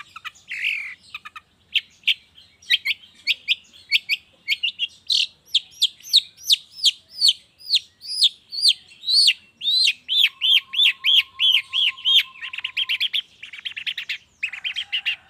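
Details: Long-tailed shrike lure song recorded in the morning, used to get shrikes that have stopped singing to start again; a fast run of sharp, chirped notes about once a second, shifting into a string of arched, downslurred calls, with a faint steady whistle partway through.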